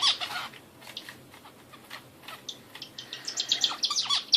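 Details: Bulbul, named as an Indian bulbul, giving rapid, uneven bursts of high, thin chirps and short twittering phrases, fading in the middle and picking up again more loudly at the close.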